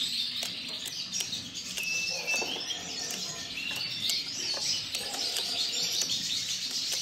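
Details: Norwich canary, a breeding male, delivering steady high rolling trills and twittering phrases with a short clear whistled note near the middle, over faint background noise.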